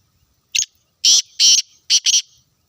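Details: Black francolin from Sindh, Pakistan, giving a loud rasping call: a short opening note, then two long buzzy grating notes and a quick closing pair, harsh and broad-toned, in a quiet setting.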